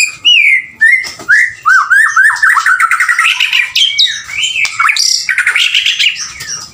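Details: Singing male white-rumped shama: a run of loud rising-falling whistled notes repeated in quick succession, then harsher squawky chatter and high scratchy flourishes, delivered continuously at close range.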